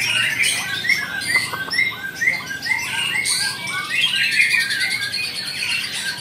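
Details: White-rumped shama singing a rapid, varied run of whistled and chattering phrases, with short notes and slurred trills repeated densely, set over a busy background of other bird voices.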